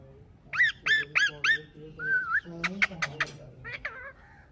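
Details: Green parrot kept as a pet, shown talking, gives a quick run of four bright chirps, then a drawn-out whistled note, then rapid clicky squeaks over a low murmur.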